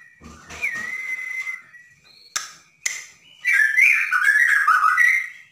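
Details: Caged Bornean white-rumped shama singing energetically, used to provoke a silent murai into singing: a long level whistle, two sharp clicks, then a rich, rapid warbling run of sliding whistled notes, in a small room.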